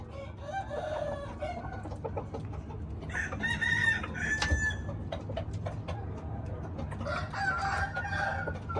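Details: Red junglefowl crowing: a harmonic crow rising and holding near the middle, with shorter clucking notes before and after, over steady low background rumble.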